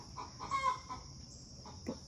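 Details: A lone backyard hen cackles after laying an egg, "bragging" with a few loud, clipped clucks that rise and break, over a steady high hiss; an unidentified bird was heard earlier.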